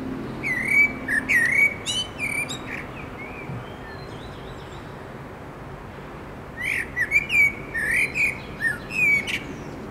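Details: Common blackbird singing on 29 June 2021: two bursts of song, each a run of fluty warbled notes mixed with squeaky high twitters, separated by a pause of about four seconds, over a faint steady background hum.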